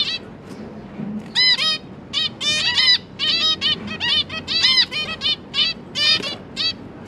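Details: Zebra finch family in captivity, two parents with three juveniles just out of the nest and being fed, October 2022: rapid overlapping nasal toots and honking beeps in clusters, loud and steady, with faint background hum.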